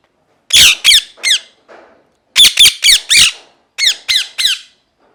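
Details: Parrot screaming angrily: three bursts of loud harsh falling squawks, three to four notes each, separated by short pauses, in a quiet room.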